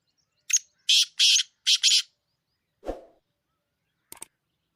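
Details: Wild female black francolin call meant to excite males: a brief note then three harsh grating buzzy bursts in quick succession, followed by a dull thud and a faint click.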